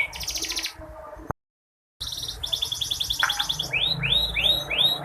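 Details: Lure of a female canary's voice for stimulating a silent male canary; a short buzzy trill, a gap of silence, then a long rattling trill followed by three arched whistled notes.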